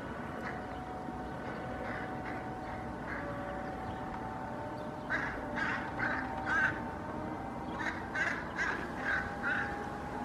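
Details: Hooded crows reacting to a common raven in a Helsinki park, Finland, on 8 May 2024. After faint early notes, harsh rasping caws come in quick bursts during the second half, over a steady low hum.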